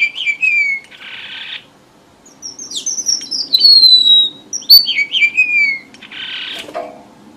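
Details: Red avadavat song used as a trapping lure. High, sliding whistles alternate with harsh buzzy bursts. A long twittering run of descending piping notes lies between them, and the phrase ends with another rasping buzz.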